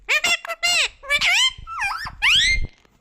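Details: Indoor talking parrot uttering shrill, nasal, word-like phrases in several bursts, with rising and falling inflection, while a person speaks nearby.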